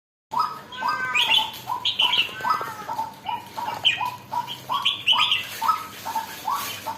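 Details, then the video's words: Red-whiskered bulbul just beginning to turn lively (galak), giving short bright chirping notes, each sliding upward, repeated roughly every half second with higher twittering flourishes between, steady and energetic throughout. "sora burung jambul baru nak galak"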